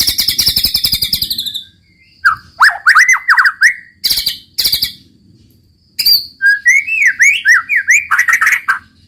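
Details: Murai batu, the white-rumped shama, delivering a 'roll tembak' song: a long rapid rattling trill, then swooping whistled notes, sharp click bursts and a final sequence of wavering fluty whistles.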